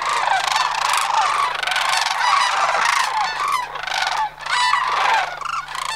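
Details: Sandhill cranes of Homer gathering for autumn migration, September 2009: a dense chorus of loud, rattling, trumpeting calls from many birds, nearly continuous, with one brief dip near the end.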